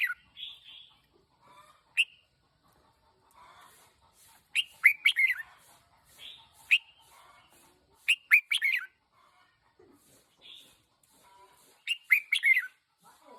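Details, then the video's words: One-year-old red-whiskered bulbul kept as a decoy bird repeats short, lively chirping phrases of quick up-and-down notes roughly every three to four seconds, with softer twitters in between. "Chào mào chim mồi 1 nam"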